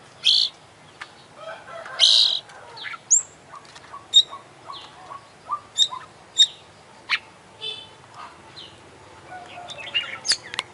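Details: International champion Oriental magpie-robin with full 'isian' song: two loud harsh bursts, then a string of short, evenly spaced whistled notes and sharp clicks, ending in quick high chips.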